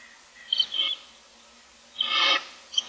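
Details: Barn owl owlets in a nest box, six young looking for food, giving harsh hissing begging screeches: two short rasps near the start and a longer broad hiss after a pause, with faint chirps between.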